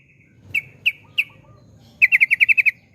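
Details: Yellow-vented bulbul (trucukan) in 'ropel' song: three spaced, sharp chirps are followed by a quick, tight run of about eight bright notes.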